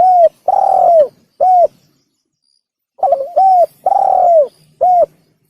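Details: Spotted dove call used as a hunting lure. Loud, clean, mid-pitched coos, each slightly falling at the end, come in a short phrase of three notes, a pause, then a phrase of four, with a brief trill starting the second phrase.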